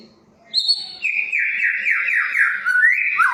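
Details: Caged white-rumped shama lure song: after a short quiet start, a high clear whistle, then a long rolling sequence of sliding whistled notes stepping down and rising again.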